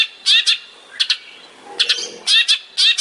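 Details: Cendet, the long-tailed shrike, in a master recording for training songbirds: harsh, high, scratchy double bursts repeated roughly every half second, with short gaps between pairs.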